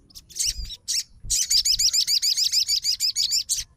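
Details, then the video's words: Sogon (Crimson Sunbird) fighter bird answering another sogon: a few opening chips, then a steady, rapid string of high wavering trill notes, roughly four per second, ending abruptly. "SOGON FIGHTER LANGSUNG RESPON DENGAR SUARA SOGON GACOR"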